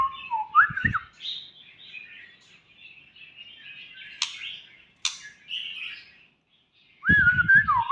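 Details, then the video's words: Young white-rumped shama singing: clear whistled notes sliding around the middle range, then warbled and buzzy phrases and two sharp clicks, ending in a rising whistle. Low thumping noises close by come in bursts at the start and end. "ลูกแร้งคอล่อน😁 #birds #birdsong #นกกางเขนดง"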